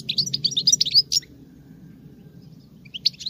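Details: Female European goldfinch, singing like a male, delivers a rapid run of high tinkling, twittering notes for just over a second, then near silence with a faint low hum before a short burst resumes.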